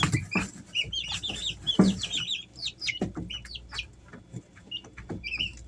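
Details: Home-kept Easter Egger chicks, three weeks old: a dense run of high cheeps early on, thinning to sparse single peeps later, amid tapping, pecking and rustling noises.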